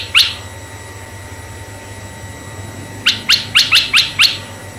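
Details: Red-eyed bulbul lure sound for male and female bulbuls: one sharp rising chirp, nearly three seconds of quiet, then a quick run of six bright, clipped upslurred notes over a faint electronic hum.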